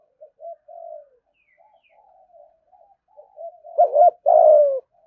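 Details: Spotted dove cooing in the 'thúc gù' style used to lure wild doves to a fighting perch. Soft, broken low coos build to a loud closing phrase: a quick bouncing double note and then a long, level, gently falling coo.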